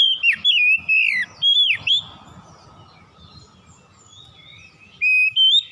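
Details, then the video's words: White-rumped shama in strong, loud song: bright whistled notes swooping down and up in a quick run, a pause of a few seconds, then two more clear rising whistles. "KICAUAN KACER POWER KERAS"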